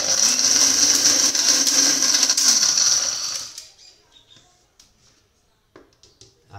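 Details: A kitchen blender whirs loudly for a few seconds, then stops, leaving only faint clicks and handling sounds.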